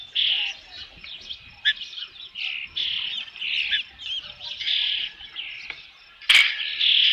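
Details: Osprey at a nest at Dunrovin Ranch with fish, 3 June 2018, around 5 PM: a run of soft, high whistled chirps in quick, irregular bursts, ending with one sharp louder note and a brighter squeal.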